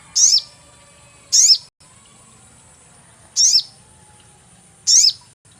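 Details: Sogon bird lure sound for catching: four loud, very high chirps with descending sweeps at irregular intervals of one to two seconds, against quiet background hum.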